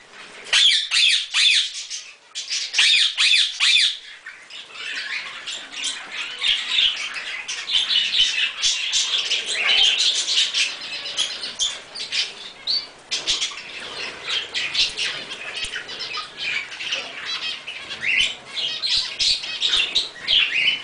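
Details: A captive monk parakeet, one of a pair, gives harsh, scratchy squawks in rapid, uneven bursts while eating a strawberry.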